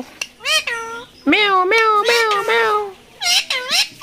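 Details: Talking parrot at the Mirpur 1 bird market in Dhaka, 13 October 2023, imitating human speech: nasal, wavering meow-like syllables in bursts, one long drawn cry in the middle, separated by short pauses in a quiet room.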